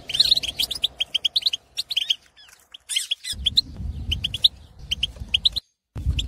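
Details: Algerian wild European goldfinch male kept in an aviary, in breeding condition, pouring out dense jingling chirps and buzzy twitters, then sparser notes over low rumbling, sung to excite other goldfinches.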